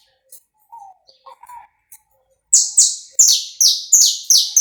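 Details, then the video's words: Saffron finch song recorded live without cuts, meant to warm up a bird, 'pega pé' style: a few faint soft notes first, then six loud, sharp high notes, each sliding downward, coming roughly twice per second. "esquenta seu canário da terra em 10 minutos. som gravado aí vivo sem cortes"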